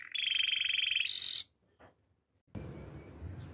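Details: Waterslager canary training song fragment: a sustained buzzy trill jumps to a higher, louder trill, breaks off into near silence, then soft low background rumble follows.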